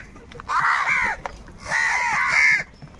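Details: Crows fighting for food: two long, strained, hoarse caws, each lasting well over half a second, harsh and slightly wavering, with a brief pause between them.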